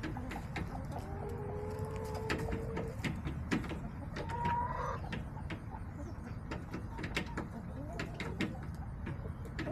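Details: Backyard hens recorded on October 5, 2024 by a coop camera: drawn-out, even-pitched calls early on, then a brief rising note, over a steady low hum and scattered sharp knocks and taps.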